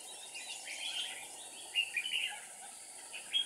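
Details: Decoy red-whiskered bulbul used for trapping on 7 April 2019: soft chattering notes, then a few sharp clear whistled chirps in quick succession and a final bright chirp, over steady hiss.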